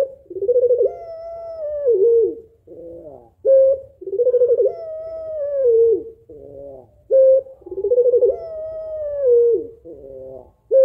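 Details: A female puter pelung dove calls to rouse a lazy male into cooing. Her long, wavering, throaty coos slide slightly and end in short clipped notes. Each phrase repeats about every three and a half seconds.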